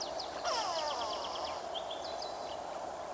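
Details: Brown-hooded kingfisher hunting for fish over the Olifants River, picked up by a live camera on 13 July 2022: a quick run of high, sharp notes falling slightly in pitch, mixed with other birds' chirps and a gliding whistle over steady river noise.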